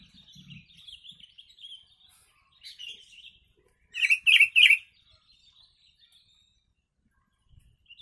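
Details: Yellow-vented bulbul carrying kutilang phrases, recorded as a master song for bird training; a thin high twittering run, then three loud, emphatic, bubbly notes in a row, a faint low thump early on.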